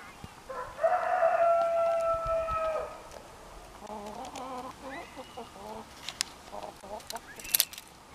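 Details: Orpington chicken flock: a loud drawn-out crow lasting about two seconds, followed by soft, quicker clucks and low murmuring over a steady noisy background with a few clicks.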